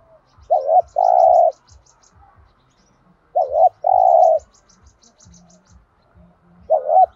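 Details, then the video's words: Spotted dove cooing to provoke other doves into calling: repeated phrases of a wavering double note and a long coo about three seconds apart, with bursts of high thin chirps from other birds and soft low ticking. "tiếng chim cu gáy kích bổi/tiếng thúc gù bài bản giọng hay giúp bổi nhanh gáy"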